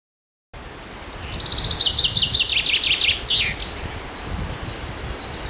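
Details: Common chaffinch (Fringilla coelebs) singing one rapid song: a descending series of quick repeated notes accelerating into a falling trill, ending with a short flourish, over steady rustling outdoor background noise.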